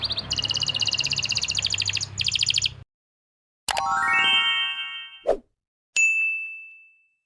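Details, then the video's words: Canary from Pati, Central Java, singing to stimulate canaries that stopped singing and young birds; a rapid, high rolling trill lasts nearly three seconds, then silence broken by ringing metallic clangs and a bell-like tone. "masteran untuk memancing burung kenari yang macet bunyi"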